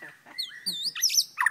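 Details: White-rumped shama from Kota Aur, Sik, a short-tailed bird said to sing on and on; clear level whistles and rising-falling swept notes, then bright chirpy twittering phrases, with faint human talk underneath.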